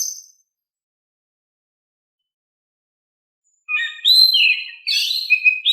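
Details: Oriental magpie-robin song for drawing out quiet birds: a faint high note, over three seconds of silence, then a loud run of sliding whistles and quick warbled notes.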